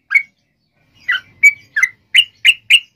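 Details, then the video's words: Sooty-headed bulbul (trucukan) calling to prompt other bulbuls to answer. A single bright whistled note, a pause, then six short ringing notes about a third of a second apart. "SUARA trucukan gacor ROPEL PANJANG pancingan trucukan agar bunyi"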